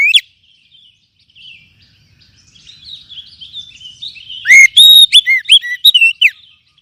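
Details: Oriental magpie-robin pancingan song used to boost other kacer's singing: a faint, rambling twitter builds toward a loud run of clear, down-slurred and rising whistles, closely spaced and varied.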